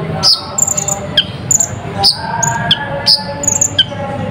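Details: Olive-backed sunbird of the Natuna type, singing a song full of imitated phrases, used as a lure to stir up other birds: very high, sharp chirps and thin whistles in quick bursts, with faint lower tones underneath.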